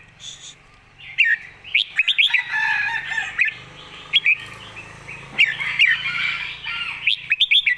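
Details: Red-whiskered bulbul master song in the 'golden phrasing' style: bright, quick, rising-and-falling whistled phrases in short bursts over a dense chatter of other birdsong, with a low hum underneath.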